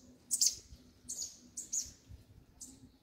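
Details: A Double-collared seedeater sings one particular song variant, four quick bursts of high, sharp, slightly buzzy notes over three seconds, against a low steady hum.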